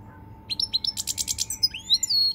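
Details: European goldfinch, 20 March 2020, giving a short dense burst of high twittering, a fast buzzy rattle, then sweeping whistled notes, with a steady hum in the background.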